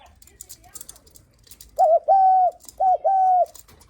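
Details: A spotted dove gives the coo said to welcome guests. Faint background noise comes first, then two phrases follow, each a short wavering note and a longer flat coo.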